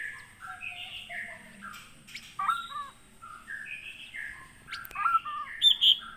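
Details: Captive white-rumped shama from Aceh, Gunung Leuser, wild-caught at Aih Ilang (Sungai Merah), Pining, in 2017. It gives a soft, continuous, varied warble with scattered sharper notes and a louder burst of high notes at the end.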